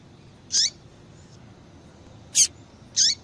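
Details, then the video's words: Female yellow-bellied seedeater calling repeatedly to stir males into song. Three sharp, high chip notes with brief downward tails, spaced irregularly over a few seconds against a quiet background hiss. "Fêmea de Papa capim Chamando Muito para Esquentar papacapim !"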